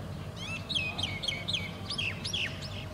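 A European Greenfinch gives a quick run of bright, downslurred chirping notes, several per second in uneven bursts, over a low steady rumble.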